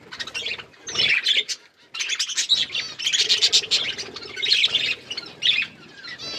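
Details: Several hand-tame pet budgerigars chirping in a continuous warbling chatter of high, scratchy notes and quick rising whistles, broken by short pauses.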